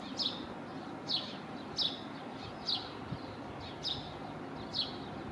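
A Eurasian magpie gives six harsh, scratchy chack notes, spaced unevenly about a second apart, over a steady low rumble of distant traffic.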